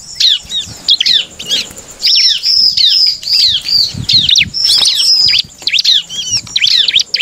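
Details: High, piercing bar-winged prinia song meant to provoke other birds to sing: rapid downward-sweeping chirps in dense bursts, separated by short gaps, with a few thin sustained whistled notes.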